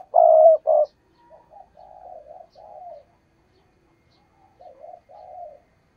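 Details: Decoy spotted dove for trapping wild doves, opening with two loud low coos, the first sustained, followed by a string of softer cooing notes and a brief pause before more quiet coos.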